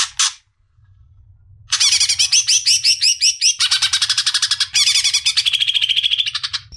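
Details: Greater green leafbird (cucak ijo) song recorded as a masteran tutor track for training songbirds: a brief chirp, a pause, then a fast, steady run of high, bright, rattling and warbled notes lasting about five seconds, with a low hum underneath.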